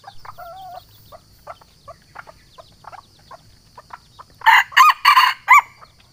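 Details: Sumatran junglefowl calling to challenge a rival, a recording used to lure wild birds and said to include female calls; soft short clucks and a wavering nasal note early on, then four loud, harsh crowing bursts in quick succession near the end.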